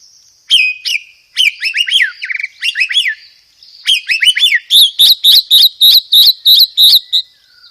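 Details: White-rumped shama singing hard, 'roll tembak'-dominated lure material with 'gereja tarung' fill: fast chattering phrases of slurred notes, then a steady run of sharp repeated notes, about three a second.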